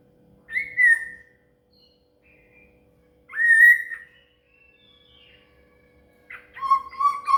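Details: Song of a shama used to train a cililin: two long, even whistled notes spaced about three seconds apart, then a quick rippling phrase, over a faint steady low hum.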